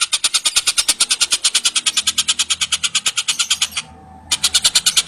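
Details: A long-tailed shrike, locally called tengkek buto, sings vigorously as a singing tutor for other birds: a fast, even run of harsh, buzzy pulses, about six per second, breaking off briefly before resuming.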